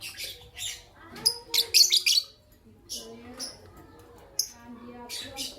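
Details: Green personata and albino lovebirds calling in the morning, a rapid, irregular series of shrill, high-pitched chirps, some grouped in fast bursts of three or four, with short quiet gaps between volleys.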